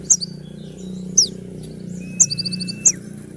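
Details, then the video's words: Sunbird (kolibri ninja) song, described as sharp rapid 'shots' meant to be played once in the morning to provoke other birds into answering: short, very high downward-sweeping notes and a brief twittering burst over a steady low hum. "putar sekali koninmu pasti nyaut masteran suara tembak yang buat konin emosi"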